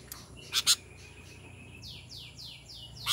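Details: Sooty-headed bulbul calling to other bulbuls: two loud, sharp chipping notes close together, then a run of faint, descending, whistled sweeps about every half second, ending with another sharp chip over a low steady hum.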